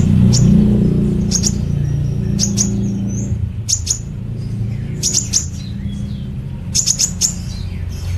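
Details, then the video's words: Sunbird known as kolibri ninja giving energetic 'nembak cililin' song for training other songbirds: short bursts of piercing high chips roughly once a second, with a deep hum and rumble beneath. "Koibri Ninja Gacor Nembak Cililin Durasi Panjang"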